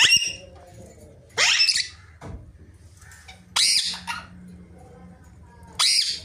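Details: Pet rose-ringed parakeet giving loud, harsh, raspy squawks, four bursts spaced about two seconds apart with quiet, low hum between.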